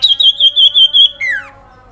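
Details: Sooty-headed bulbul giving a loud grincingan call to make other birds react: a high wavering trill of about six pulses, ending in a long falling slur.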